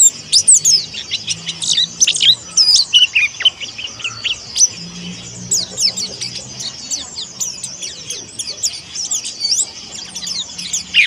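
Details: Young pleci monty, a white-breasted Indonesian white-eye, learning to sing. A busy burst of high twittering chirps opens the stretch, followed by sparser tweets and a low hum in the background.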